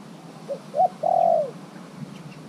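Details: Spotted dove held as a caged decoy for three months, calling toward wild birds. It gives a single cooing phrase, two short notes then a sustained purring coo that drops at the end, over soft background hum.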